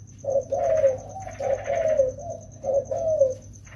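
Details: Wild-caught spotted doves, two birds in rainy-season training, giving a short coo then a long sliding coo, the pattern repeated twice, over a constant faint high-pitched tone.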